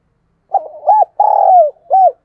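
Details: Decoy dove cooing and calling to lure wild doves: one low, mellow phrase with a short arched note, a longer throaty buzzing note, then a final arched coo, in a quiet setting.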